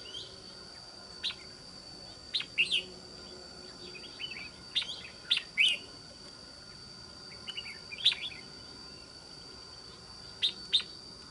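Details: Decoy red-whiskered bulbul, described as quick to sing, with a tall thick crest and a good wild voice, delivers scattered bursts of sharp, bright chirping notes, often in pairs, spread irregularly through the recording over a constant faint hum.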